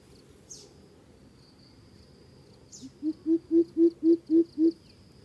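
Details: Coucal calling with a quick series of low, booming hoots, two soft ones and then seven loud evenly spaced notes, while a continuous high-pitched insect drone and a couple of brief scratchy sounds run behind.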